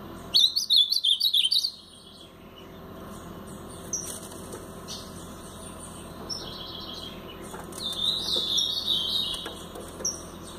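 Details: Blue-black grosbeak, a brown-plumaged bird, delivers a loud, rapid Paraná-style phrase of jerky whistled notes at the start, then a quieter repeat of the warbled phrase near the end, with isolated chips between.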